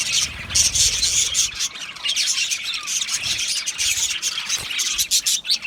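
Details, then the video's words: Budgerigars chirping: a dense, continuous chatter of high, scratchy chirps and squawks with brief whistled notes, several birds calling over one another without pause. "Australian Budgies Sounds | Beautiful Budgies chirping Sounds"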